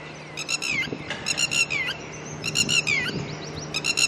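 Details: Red-wattled lapwing pair, seen early in the morning tending their chicks, calling loudly because disturbed by a person nearby: sharp, high, repeated notes in quick bursts with slurred downward strokes, several volleys over a few seconds, faint low hum behind.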